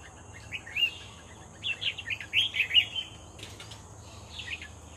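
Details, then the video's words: Red-whiskered bulbul singing actively during decoy trapping: one short warbled phrase, then a longer run of bubbly, slurred whistled notes in the middle, a brief phrase near the end, over a steady high insect hum. "MERBAH JAMBUL GACOR"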